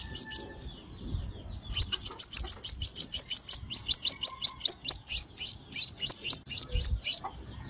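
Crimson Sunbird giving a fast, high, thin series of sharp chipping notes, about six or seven a second, after a short opening burst.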